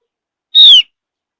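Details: Javan grey-throated white-eye, a bird of high mountain forest, with soft chirping used as a lure to get other birds singing along; one clear high whistle, slightly arched then sliding downward, about a quarter second, in silence.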